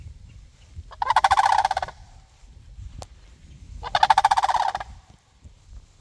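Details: Sandhill cranes answering a person's calls, giving two loud, rolling, rattling calls about three seconds apart, each nearly a second long, over a quiet background.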